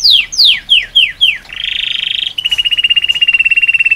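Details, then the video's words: Singing male canary in full song: five quick, clear whistles sliding down in pitch, then a high, rapid buzzy trill running straight into a steady, rolling trill. "Canary Singing"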